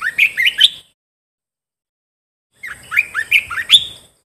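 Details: Caged bulbul song used for training caged birds: two bright phrases, each of four or five quick upward-sweeping whistled notes climbing in pitch, separated by nearly two seconds of silence; clean, close recording.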